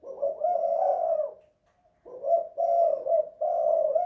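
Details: Spotted dove in a house cooing in the 'kuk 2 / guk 1' pattern: one long hollow phrase, a pause of about half a second, then a steady run of three linked low coos.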